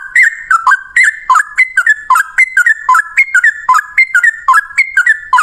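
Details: Male yellow-vented bulbul in long, rapid fighting-style song, used as a lure to prompt other bulbuls to sing: clear whistled notes dropping and rising, repeated in quick regular bursts about every second.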